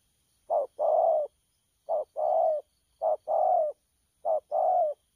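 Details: Spotted dove recorded 12.10.2019, cooing in a style locally called 'nước chơi lăng săn': four paired phrases, a short low coo then a longer throaty coo, repeated about every 1.2 seconds against a quiet background.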